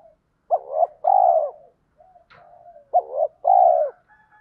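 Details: Spotted dove coos, male and female, played as a lure in the thổ pha thúc style so wild birds coo in reply: two strong two-part phrases separated by soft low notes and a light click.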